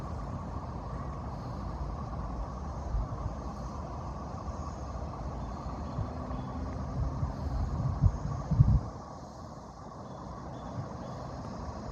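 A steady low rumble of traffic fills the recording, swelling as a vehicle passes near the end, with no animal voices heard.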